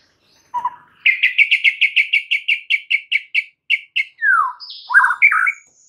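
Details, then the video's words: Provoking song of a white-rumped shama: a quick, even string of about fifteen clipped chips, then a descending whistle and a pair of jumbled warbling notes. "PANCINGAN Murai Batu bikin langsung EMOSI murai manapun saat mendengarnya"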